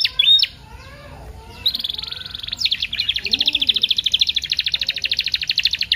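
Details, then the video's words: Canary pancingan, paud style with full isian, played to set other canaries singing: a loud opening note, a quieter pause, then a long buzzy rapid trill running for over four seconds. "PANCINGAN KENARI PAUD FULL ISIAN SUPER ISTIMEWA"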